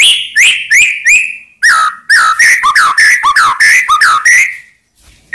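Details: White-rumped shama song meant to provoke rival birds into answering. Loud whistles swoop down in quick succession, forming a fast, continuous, melodic phrase of looping notes.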